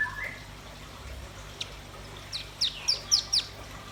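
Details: After a short whistle and near-silence, a red-billed nuthatch or white-rumped shama gives a quick run of five sharp, very high chipping notes, evenly spaced.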